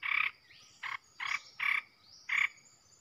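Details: Red-whiskered bulbul, a fierce bird used as a decoy to provoke other bulbuls, giving five short, dense, buzzy-warbled bursts about half a second apart, with a faint high thin tone running behind.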